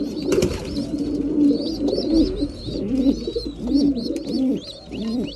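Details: Breeding pigeons at mealtime, many birds cooing at once: throaty, wavering low coos in quick irregular bursts, with a running line of faint, high-pitched squeaks over the top.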